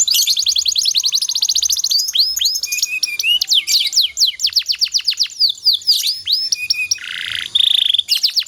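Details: Canary singing as a training master for other canaries, long continuous song: fast high rattling trills alternating with slurred whistles and a brief buzzy burst, dense and unbroken throughout.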